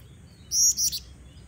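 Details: Calling female black-winged flycatcher-shrike, used as a lure for males: one longer piercing high note followed by two short clipped chirps, crisp and quick, with soft background hum.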